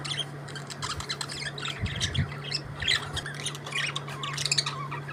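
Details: Budgerigars singing and chirping: busy chatter of harsh squawks and buzzy warbled notes, fairly loud and overlapping, with a low thump near the two-second mark and a steady background hum.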